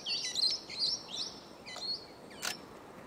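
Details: Meyer's parrots at a morning mud lick on the Kaingu loops, where groups of up to 200 gather after sunrise to eat mud: rapid, shrill, squeaky chattering calls overlapping over a steady hiss.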